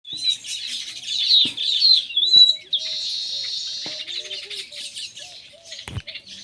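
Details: Baya weaver (Ploceus philippinus) chatter: fast, high, scratchy chirps running together, then a drawn-out wheezy buzz, with a few sharp taps and soft lower notes behind.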